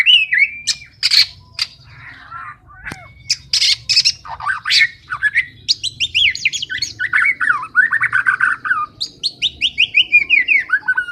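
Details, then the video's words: White-rumped shama singing vigorously: loud varied phrases of sharp high whistles, harsh buzzy bursts and rapid descending slurred notes, ending in fast repeated downward-sweeping trills, with a faint low hum beneath. "MURAI BATU MAIN NGOTOT"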